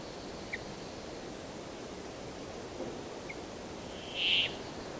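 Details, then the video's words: Brambling song: a single drawn-out, wheezy buzz near the end, preceded by a few faint, short chirps over steady background hiss. "The sound of the Brambling"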